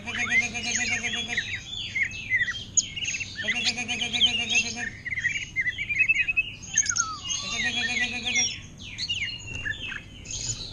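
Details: Greater green leafbird in a cage, singing continuously in orange-headed thrush style: a busy stream of high twittering, warbled phrases and quick slurs, with intermittent human speech.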